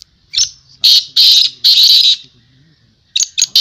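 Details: Strident, grating high bursts from black francolin at a 2022 calling tournament: a short note, three long rasping calls, then quick clipped notes, with faint voices beneath.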